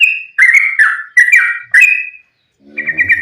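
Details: Loud sooty-headed bulbul fighting song, used to lure other bulbuls into calling: a string of strong, slurred, falling notes about every half second, then a quieter rippling phrase over a low hum.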